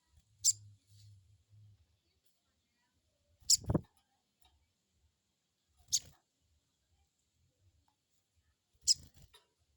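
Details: Crested jay crecet call played as a lure to get untrained birds to answer: four short, harsh, very high bursts spaced about two to three seconds apart over quiet background with faint low hum.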